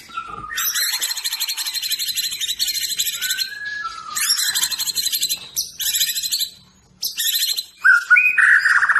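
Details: Medan-variety white-rumped shama singing loud, buzzy, rattling phrases full of high overtones. The phrases are broken by short gaps and clear whistled slurs, and the song ends in a brighter whistled flourish.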